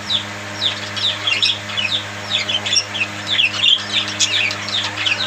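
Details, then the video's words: Parakeets chirping in a flurry of quick, bright, down-slurred notes and chattering warbles, several birds calling at once above a low hum. "Bird Chirping Sound Parakeet friend's budgies parrot"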